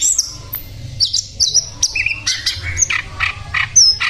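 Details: High, thin whistles from a sikatan londo flycatcher, then coarse, scratchy squawk-like notes repeated at irregular intervals, mixed with clear sliding whistles.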